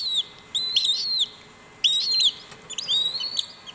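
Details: Cuban whistling duck chicks, a clutch calling while hatching at WWT Slimbridge to synchronise hatching; high, thin whistled peeps with bent, arching notes, given in three short bursts with quiet gaps, several chicks overlapping.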